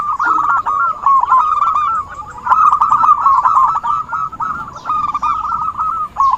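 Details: Zebra dove lure calls for trapping: dense, rippling coo phrases at one pitch with brief dips between runs.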